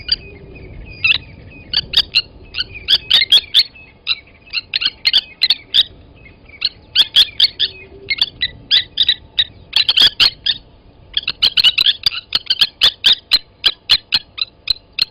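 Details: Blacksmith lapwings at Gowrie dam waterhole, Djuma Game Reserve, Sabi Sand, South Africa, 07:47 on 29 August 2020, as one adult seized a chick from the nest and killed it: sharp metallic clinking notes in rapid irregular bursts, overlapping.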